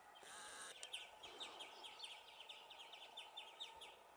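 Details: A family group of European greenfinches at Valleseco, Gran Canaria, on 23 June 2019, gives short, bright twittering chirps, several birds overlapping about twice a second over a steady hiss of background noise.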